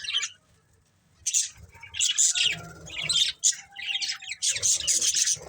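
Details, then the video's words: Budgerigars chatter in quick bursts of high, scratchy chirps and squawks, several birds overlapping almost without pause after a brief silence. "Budgies Chirping Sounds"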